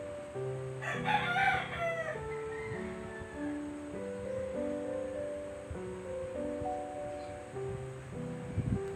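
A rooster gives one hoarse, rising-then-falling crow lasting under two seconds, over steady background music with stepped tones.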